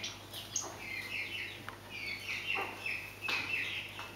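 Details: Scaled quail giving a string of brief nasal chirps and slurred notes, several overlapping, over a low constant background hum.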